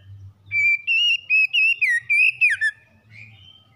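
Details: Morning song of a magpie-robin: a sustained whistle, then a quick series of about seven bright, bending whistled notes ending in a downward slur and a short, softer trill.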